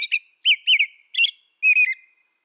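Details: Close-up American robin song: a brief run of bright, looping whistles, several downslurred notes in quick succession, ending in a slurred double note.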